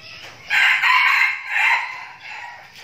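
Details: A captive decoy red junglefowl from a training flock in Binh Phuoc, Vietnam, gives a short, hoarse, broken crow of about two seconds that rises, pauses briefly, then cuts off abruptly, over faint background hiss.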